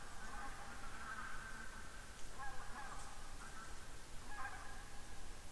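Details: Barnacle geese fly overhead in Estonia on 7 October 2019, giving faint, short yapping calls over a low rumble of wind.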